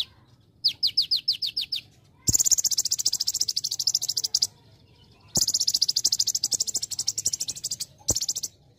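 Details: Olive-backed sunbird (konin) in full, lively training song with celilin phrases: a short run of high sliding notes, then long dense buzzy high trills broken by brief gaps, with low background hum.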